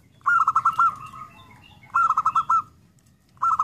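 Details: Zebra dove cooing: a mellow, stuttering phrase of several quick notes running into a drawn-out trill, repeated about every one and a half seconds, with faint background noise.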